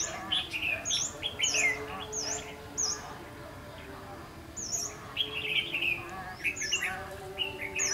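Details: Red-whiskered bulbul singing as a decoy while trapping for a flock-leading bird, 14 March 2016. Lively, warbled phrases come in bursts of several notes, mixed with sharp, high, repeated chips from other birds and faint talk.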